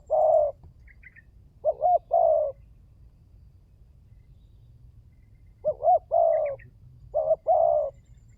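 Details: Spotted dove (tekukur) calling on a lure recording to prompt other birds: low coo phrases with stuttered starts and long endings, spread out with gaps, plus faint brief high chirps from another bird.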